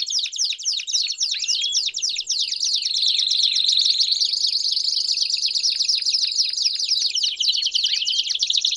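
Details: Several Belgian canaries singing together: a dense chorus of fast rolling trills and rapid chirps, overlapping steadily throughout, with a long high sustained trill through the middle and occasional downward-sweeping notes.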